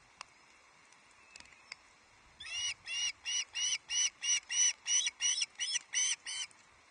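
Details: Juvenile Osprey at a Loch Arkaig nest on 31 July 2023, ravenous and shrieking as the adult male delivers the first fish, a large headless trout. After a few faint clicks comes a run of about thirteen loud, harsh, harmonic-rich shrieks, roughly three per second.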